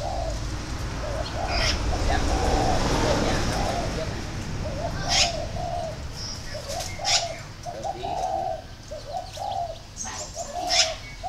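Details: A spotted dove gives low, husky coo phrases in short bursts, partly masked by a broad rushing background noise early on, with sharp clicks and a few brief high chirps.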